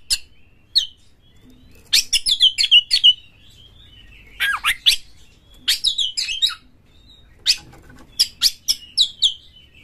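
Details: Oriental magpie-robin harsh lure song, used to stimulate other magpie-robins to sing. Short clusters of sharp, stuttering high notes and scratchy buzzes arrive in quick bursts of four to six, separated by pauses of about a second.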